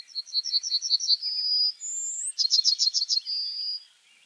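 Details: Yellowhammer giving two song phrases: a run of evenly spaced bright chips closing on a long level note, then a brief higher slurred note and another rapid chip series ending in a sustained whistle.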